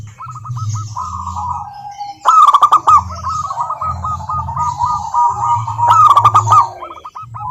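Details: Local zebra dove song used as a lure for lazy doves: a long run of rapid, evenly spaced ringing coo notes rolling into trills, broken by crackly clicks, over a continuous low rumble.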